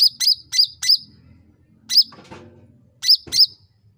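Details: Sooty-headed bulbul sound used to lure other bulbuls into answering fast and persistently: sharp, bright chirps with a wavering twist, four in quick succession, a lone note near two seconds, then a closing pair, with faint low rumbling between.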